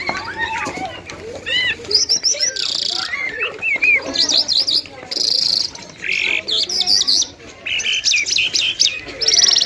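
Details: Lark known as jal, Afghan style, giving a varied song of whistled slurs, quick rising chirps and short buzzy bursts, with brief pauses between phrases.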